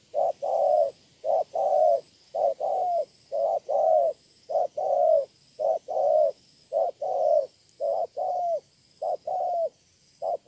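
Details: Spotted dove kept as a ground decoy bird, recorded at Hơmon, Sa Thầy, Kon Tum, Vietnam, on 7/9/2018: steady mellow coos in short paired phrases, each note slightly falling, repeated roughly once a second with brief pauses.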